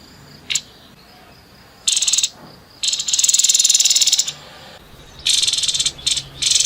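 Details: Rough 'nembak kasar' song of a grey-headed babbler, a single short buzz, then repeated rasping trills of varying length, the longest about one and a half seconds, with brief buzzy notes between.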